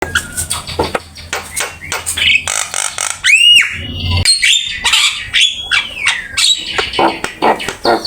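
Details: Black-winged myna song used as a master song for training other birds: loud harsh squawks mixed with clicks, rasping notes and rising then falling whistled slurs, delivered in rapid varied bursts.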